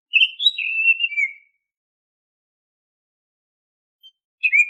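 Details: Oriental magpie-robin (kacer) song, played as a lure to trigger untrained caged kacer into steady singing. A fluid warbled phrase of whistles rolls and falls over about one second. After a long silence a new phrase begins.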